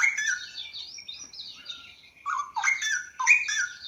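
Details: Straw-headed bulbul in full, melodious, echoing song: high busy chattering notes at first, then loud, lower, bubbling whistled phrases that rise and fall, repeated in three bursts.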